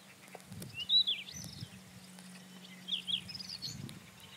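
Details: Rufous-tailed scrub robin in song, giving two loud, clear whistled phrases of slurred notes about two seconds apart, with soft low thumps and a steady hum in the background.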